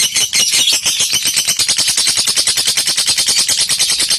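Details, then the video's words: Lovebird giving its ngekek chattering song, used as a training recording to provoke rivals into singing: a continuous, rapid, shrill rattling trill of evenly spaced pulses, high-pitched and steady throughout, indoors with no other clear sounds. "Suara Masteran Lovebird Memancing ngekek lawannya"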